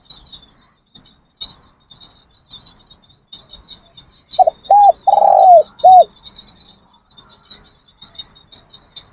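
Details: Spotted Dove used as a training decoy, cooing while being trained: after quiet, a single phrase of short, short, long falling and short coos, backed by constant shrill insect chirring.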